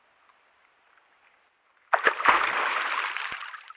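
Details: A faint low hiss gives way, about halfway through, to a loud splash followed by sloshing, gurgling water until the end.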